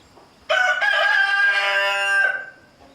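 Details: Chicken: a rooster bothering a mother hen with chicks crows loudly after a quiet start. The crow is one sustained, strongly harmonic note of nearly two seconds that ends abruptly.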